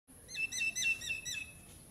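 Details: Common myna at its nest site in an old utilities box in Ipoh, Perak, Malaysia, giving a rapid run of harsh, chattering notes, about six pulses over one second, then fading, with a steady high hiss behind.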